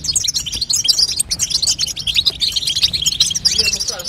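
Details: Female European goldfinch twittering to prompt a young goldfinch to sing, a rapid stream of high, sparkling chirps and short trills layered densely together.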